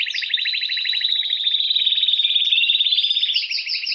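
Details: Canary song aimed at exciting females for mating: an unbroken, loud rolling trill with layered buzzy harmonics, rising slightly in pitch toward the end.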